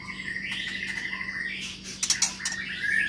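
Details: White-rumped shama, a long-tailed Medan bird kept in an aviary, giving a sustained whistled phrase that rises and falls, then a few sharp clicks and a bright high whistle at the close.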